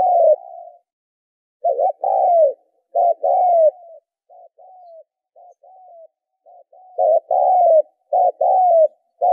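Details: Spotted dove coos used as a lure for training decoy birds, loud two-part phrases, a brief note followed by a drawn-out falling coo, with softer, fainter coos in between, over a clean, quiet background.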